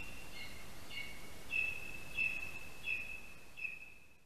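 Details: Lesser spotted eagle male at a spruce-tree nest in Latvia, morning of 13 August 2021, calling and waiting for his mate after delivering a mouse: steady high whistled notes, about one every 0.6 seconds, over background hiss.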